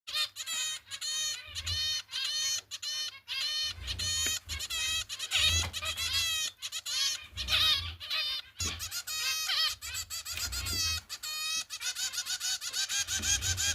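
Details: Young zebra finches being fed by their mother give dense, rapid, high-pitched nasal begging calls in overlapping bursts throughout, with soft low thumps pulsing in the background.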